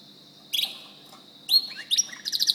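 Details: White canary singing: short bursts of high trilled and rising notes, separated by quiet pauses, with brighter rapid trills toward the end.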